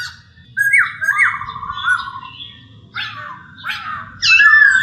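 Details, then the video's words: Masked laughingthrush song for caged-bird training: after a quiet start, upslurred whistles lead into a rattling trill, then harsher chattering notes and a loud closing whistle, over a faint low rumble. "terapi suara poksay,hongkong"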